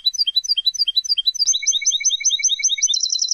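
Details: European goldfinch song, played to teach young goldfinches and hybrids: quick high twittering notes, then a rapid repeated tinkling motif over a steady lower tone, ending in a fast bright trill.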